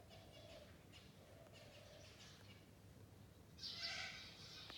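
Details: Four Sulphur-crested cockatoos feeding on almonds in an almond tree before flying off; one loud, harsh, grating screech near the end follows several seconds of soft, indistinct chatter and background hiss.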